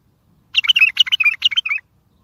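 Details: Bulbul singing to provoke answers from other bulbuls for trapping: a single lively phrase of about a dozen quick, slurred chirps rising and dipping, lasting just over a second, with quiet before and after.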